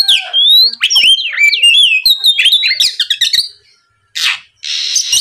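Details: Rival-provoking lure song of an Oriental magpie-robin: a fast tumble of falling and rising whistles and clipped chirps, then a silence and two harsh rasping bursts.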